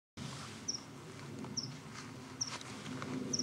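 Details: Meadow pipit calling just after a young cuckoo was seen being fed by a meadow pipit: four thin, very high, brief notes spaced under a second apart over a soft outdoor background hiss.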